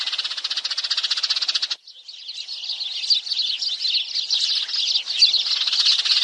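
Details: Sparrow calls used to lure the birds for trapping: a rapid buzzy pulsing chatter cuts off abruptly, then a looser flock chorus of high chirps builds and stays dense to the end.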